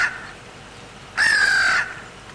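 A crow gives one harsh, drawn-out caw lasting about half a second, level and slightly falling, after a faint earlier call.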